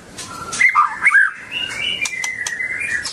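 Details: White-rumped shama described as dancing and singing: a few rich whistled notes, then a long, steady, slightly rising whistled phrase, broken by sharp dry clicks.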